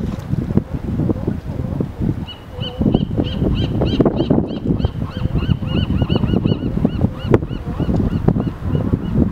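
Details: Many gulls and brown pelicans on a gravel bar on the Sausalito waterfront, San Francisco Bay, in winter herring season, waiting to feed, give short, high, nasal calls in quick overlapping bursts over a steady low rumble.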